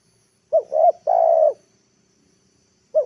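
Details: Afternoon call of a spotted dove kept as a lure to bring wild birds down to the ground: one full phrase of two quick rising coos and a drawn-out steady coo, then the next phrase beginning.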